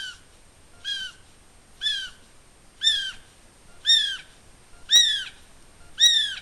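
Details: North Island brown kiwi, male, calling at night within 500 m of Russell Wharf, New Zealand: seven shrill, upslurred whistles about a second apart, each a little louder than the last, against a quiet night background.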